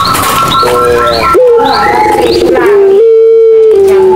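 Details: Barbary dove of the Madura pelung style, heard as a lure for silent doves: long, smooth coos held steady then dropping slightly, joined by rippling notes and light twittering from other birds.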